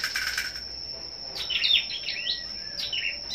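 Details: A captive Scarlet-backed Flowerpecker, kept for competitive song, gives thin, sharp, high chirps in quick clusters, some sweeping down, over a steady high-pitched whine.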